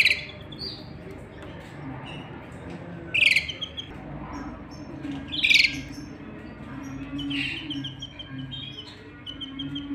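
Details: Canaries, a male and a female, at the nest where the chicks are fed; two loud, sharp chirps stand out midway, with scattered high tweets and a short fast trill near the end over a low steady hum.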